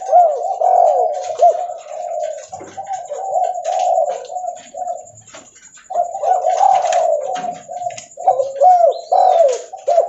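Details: Loud, persistent cooing of a spotted dove heard while it walks, with long strings of husky, slightly slurred notes, a brief pause midway, then the run of coos resumes.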